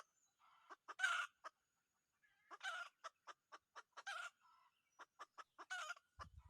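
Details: Red junglefowl crowing during decoy trapping of wild junglefowl: short harsh bursts, each led by quick dry clicks, with brief tonal wavering notes between them and no other clear sounds.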